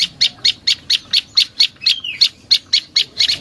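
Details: Prenjak lumut prinia played as a lure: a steady train of short, bright, high chips about eight per second, with one drawn-out whistled slur midway.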